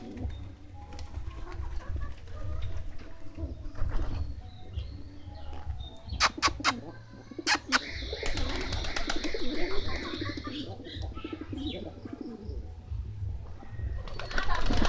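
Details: Pigeons cooing in low, soft, throaty murmurs while eating food, with sharp clicking taps and a few faint chirps.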